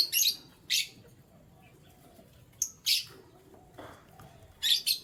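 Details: Pet canaries in the morning giving short, sharp, high chirps in separate bursts spaced about a second or two apart, with quiet murmuring background sounds between the calls.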